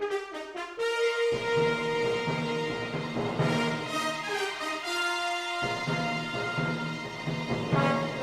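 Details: Orchestral theme music led by French horn and brass, with held notes and swelling chords, no animal sounds.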